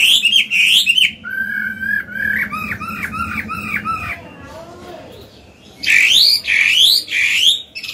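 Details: Old wild Chinese hwamei sings loud, rich whistled phrases: a run of quick repeated slurred notes, then bright rising-and-falling whistles, over a faint low hum.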